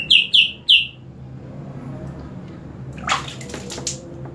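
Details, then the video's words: Green leafbird getting a water spray and singing even more: three loud, sharp downslurred whistles within the first second, then quiet before the hiss of water spray bursts in. "CUCAK IJO INI DISIRAM AIR MALAH MAKIN MENJADI"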